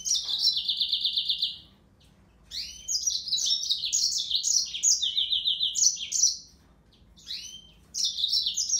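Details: Yellow-fronted canary, Serinus mozambicus, delivering bright high-pitched song in bursts: fast rattling trills and rising-falling slurred notes, separated by short silent gaps, phrases repeated over about nine seconds with faint low background hum.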